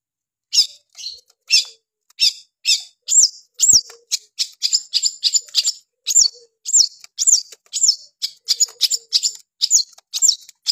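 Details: Long-tailed shrike in full song: a lively stream of short, sharp chirps and hooked, slurred whistles, delivered nearly twice a second in an uneven rhythm against a quiet background.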